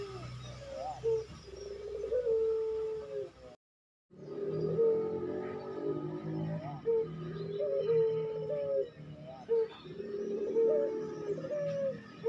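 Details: Puter pelung dove cooing, a training recording for caged birds: a series of short rising notes, each followed by a drawn-out steady coo, repeated about every three seconds over a low hum.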